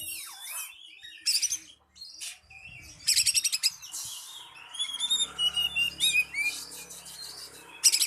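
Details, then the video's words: Oriental magpie-robin lure song calling a rival, a busy mix of harsh buzzy rattles, chirps and thin rising whistles in quick succession, over a low background hum. "Pancingan Burung Kacer Memanggil Lawan"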